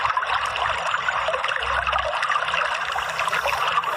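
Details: Trickling, splashing water runs throughout, with no clear animal voice.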